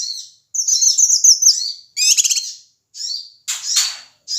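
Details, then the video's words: Ashy tailorbird male from Sumatra, lure call to provoke other birds: opens with a long high chattering twitter, then a loud stuttered rasp and hoarse noisy bursts with short silences. "suara cucak kinoi ribut AMPUH memancing emosi semua burung"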